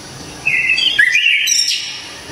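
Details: Loud, clear whistled phrase from an orange-headed thrush (anis kembang, Java): a wavering high strand that dips, rises again, then breaks into a few sharp higher flicks before fading, lasting under two seconds against soft background noise.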